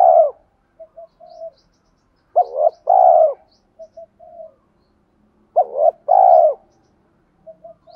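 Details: Spotted dove used as a decoy, cooing to incite rivals to fight. Two clear phrases of deep hollow coos, a short note followed by a drawn-out one, separated by faint soft notes and pauses.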